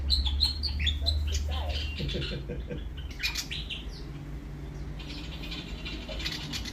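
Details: Willie wagtail from Australia giving a fast series of short, high chirps and squeaky notes that thin out after a few seconds, with a constant low background rumble.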